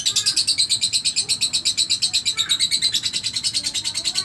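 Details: Lovebird in single gestang song, a steady high-pitched rapid chatter of repeated pulses with a faint whistled tone running through it.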